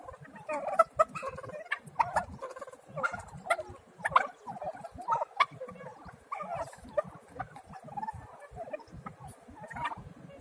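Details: Young domestic turkey poults calling, a busy stream of short, chirping peeps and chatter repeated several times a second, overlapping voices from more than one chick, with light low rumbling handling noise underneath.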